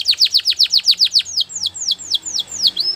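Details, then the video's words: Belgian canary training song, a steady series of loud downward-sweeping whistles, about five per second, slowing slightly into softer swept notes. "The best canary training | Belgian canary"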